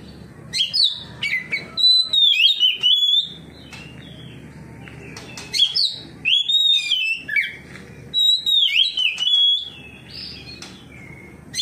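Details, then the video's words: Oriental magpie-robin singing ngeplong in response to another magpie-robin, unloading its song repertoire; three loud bursts of clicks and varied sliding whistles, separated by quieter pauses. "KACER NGEPLONG KACER LAIN LANGSUNG RESPON NGEPLONG BONGKAR ISIAN"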